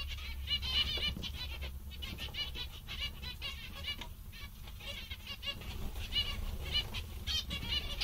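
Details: Cheerful zebra finches call together in a dense, irregular chatter of short nasal toots and buzzy beeps, about four per second, with a constant low background hum.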